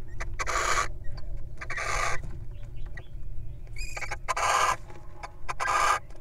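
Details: Wild little owl incubating eggs and taking a break to eat a mouse: four harsh, broadband hissing bursts of about half a second each, roughly one per second, over a low steady rumble and faint clicks.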